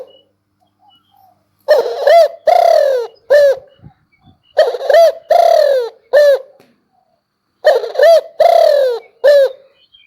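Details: Spotted dove song of three phrases, each of four coos: a short note, a long, drawn-out low coo, then two clipped notes. Phrases repeat every three seconds in a quiet setting.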